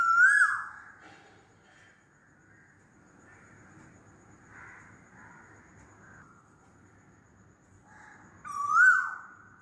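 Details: Asian koel giving loud calls: a rising whistle at the start and another after about eight quiet seconds, with faint distant sounds between.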